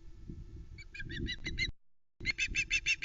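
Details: At the Loch Arkaig nest on 1 September 2020, a female osprey calls as the male brings a live flatfish. Two bursts of shrill, piping chips in quick succession are split by a short silence, with low rumbling nest-cam noise underneath.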